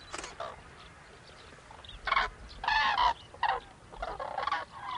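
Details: Flock of Common Cranes, winter visitors, in Gujarat, India: loud, harsh, honking trumpet calls in overlapping bursts from several birds, about two or three per second, with quieter calls and faint background rumble between them.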